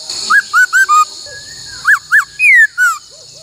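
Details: Laughingthrush singing in the "bắt cô trói cột" style for song training: a run of four short whistled notes, then two arched whistles, a long falling slur and a lower falling note, with faint low rustling and hiss.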